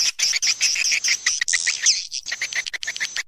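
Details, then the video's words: Old swiftlet lure call for bird-nest farming: a rapid chatter of high, buzzy chirps, nearly continuous, with brief pauses and one rising squeak in the middle. "SUARA PANGGIL WALET ANDALAN JAMAN DULU"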